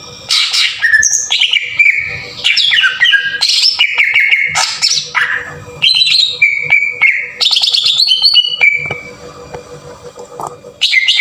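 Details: Harsh-burst green leafbird song played as a lure to raise other leafbirds' excitement: loud varied phrases of slurred whistles and held notes, repeated bursts, then a quieter gap before a final strong phrase; faint hum throughout.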